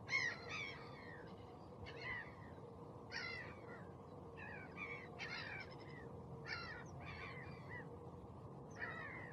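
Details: Osprey giving short, sharp whistled calls in loose clusters roughly every second, fairly faint against a constant low hum.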